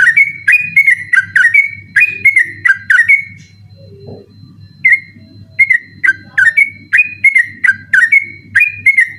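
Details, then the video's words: Night song of a yellow-vented bulbul in the insistent 'ropel' style, used as a tutor recording. Fast runs of liquid whistled notes that dip and rise pause briefly, then resume, over a low steady hum. "burung trucukan ropel ngotot dimalam hari"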